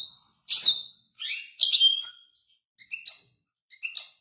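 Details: European goldfinch singing a bright, high twittering song in short bursts of buzzy, tinkling notes separated by brief pauses.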